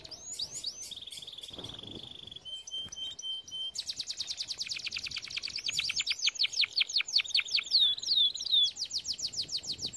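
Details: Canary song for training birds: a level whistled tone, a shorter lower whistle, then a long rapid rattling trill ending in quick chirps and downslurs.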